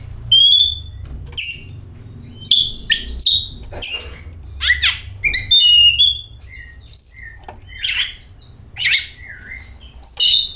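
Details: Oriental magpie-robin singing as a lure for other magpie-robins: a pure whistle opens, followed by a lively mix of sweet slurred notes, buzzy chirps and harsh fragments, with a low hum throughout.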